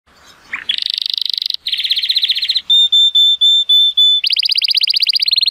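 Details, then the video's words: Male Timbrado Español canary, born 2018 and rated 83 points, sings powerfully on a sunny day: a short rising note, then fast rolling metallic trills, a steady piping held tone repeated in pulses, then more rapid trills. "The most PLEASANT Canary training song"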